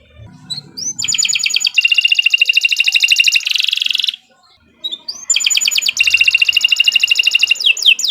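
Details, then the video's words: Canary delivering long continuous song for training other canaries: a soft opening, a sustained fast rattling trill lasting about three seconds, a short gap, then another rapid trill ending in quick sweeps. "Kicau Burung Kenari 148 II LUAR BIASA GACOR PANJANG Cocok untuk Masteran"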